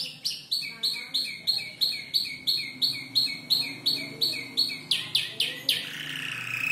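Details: Canary aged about five months imitating tutor birds like the ciblek: a steady series of clipped chirps roughly three per second, ending with a few louder sweeping notes and a drawn-out buzz.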